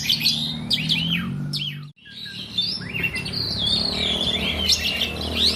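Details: Asian pied starling, a kept songbird, singing nonstop: a busy stream of whistled, rising and falling notes with harsh chatter, broken by a short pause near two seconds, over a low background hum.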